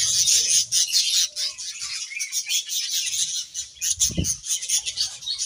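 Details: Pet budgerigars bathing among lush leaves in hot weather, keeping up a busy, high-pitched twittering chatter throughout, broken by a single louder rustle or splash near the end.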